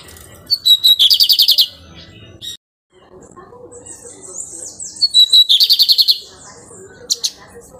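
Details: A captive, breeder-kept lined seedeater that is actively nesting sings two high, bright phrases about four seconds apart, each a short lead-in followed by a fast buzzy trill of repeated notes, over faint background hum.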